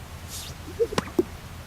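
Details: Greater sage-grouse in North America gives a couple of hollow, low pops with a sharp click between them in its courtship display, made by inflating air sacs on its chest, over a quiet, faintly rumbling background.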